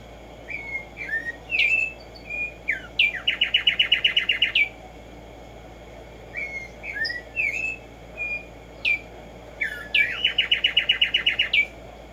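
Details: Tumba Yegua, the Black-striped sparrow, in nature: scattered short whistled slurs building into a rapid, evenly spaced trill of bright notes, then quiet before the whole phrase repeats once more, steady low hum behind.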